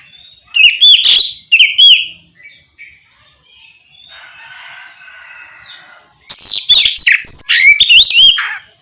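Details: Oriental magpie-robin singing to provoke other magpie-robins into song: two loud bursts of varied whistled slurs and chirps, a quieter gap with soft hissing background, then a longer bright run of rapid, varied phrases.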